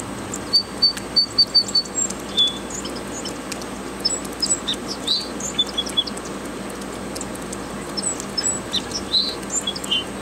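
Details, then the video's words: Unidentified songbird outdoors delivering quick repeated high whistles followed by varied twittering, chirped phrases, over constant low environmental hum with scattered calls from other birds. "What bird sings this?"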